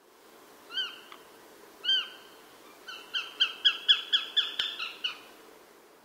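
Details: A female Eurasian sparrowhawk, feeding on prey (a small rat or possibly a house sparrow) and then cleaning her beak and feathers, gives two separate high, sharp notes, then a quick chattering run of about nine 'kew' notes in two seconds over a faint hum.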